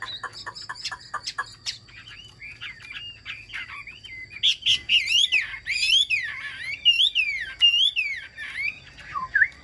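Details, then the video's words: Caged Chinese hwamei, described as singing well and methodically, opens with rapid clicking notes, then pours out loud slurred whistles that rise and fall, some sweeping high, in a varied flowing phrase. "hót tốt bài bản"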